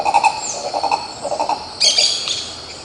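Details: Green ibis (Mesembrinibis cayennensis) recorded at Pirenópolis in Goiás, Brazil, giving a quick series of low croaking notes for about a second and a half, then a sharp high-pitched burst from another bird.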